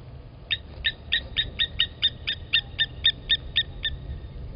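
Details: Blacksmith lapwings alarm-calling to protect their nest as an impala approaches, Gowrie dam waterhole, Djuma Game Reserve, Sabi Sand, South Africa, 27 August 2020, 15:07, live camera; about fourteen sharp metallic clinks, roughly four per second, over a low rumble.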